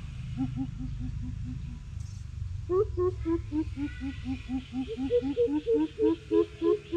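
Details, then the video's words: Greater coucal challenge: a lower run of hoots fades out, then a higher, louder series of rhythmic hoops builds and speeds up to the end, over low background rumble. "Siêu bìm bịp thách đấu"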